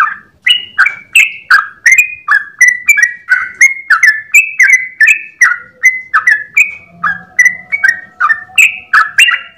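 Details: Sooty-headed bulbul in full long-breath 'ropel' song at dawn, nearly ten seconds of fast, bubbly whistled notes, each a quick downslurred phrase, pouring out at a steady pace with a faint low hum underneath.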